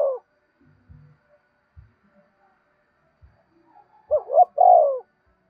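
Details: Spotted dove coo in the urging "gáy thúc" style, used to prompt caged birds to call all day; a trailing coo at the start, faint soft thumps, then two quick notes and a long hollow closing coo.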